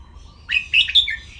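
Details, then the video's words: Red-whiskered bulbul kept as a cage bird, singing a training song in the "len rik" style: a rapid, rich run of sweet chirping notes, three loud accented peaks within about a second, in a quiet setting. "นกกรงหัวจุก ร้องเล่นริก"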